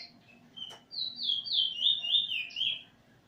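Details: Eurasian bullfinch singing with its teacher bird while learning a song, nearly mastered, on 13/08/2020: a single click, then a flowing run of pure whistled notes stepping gently downward over about two seconds.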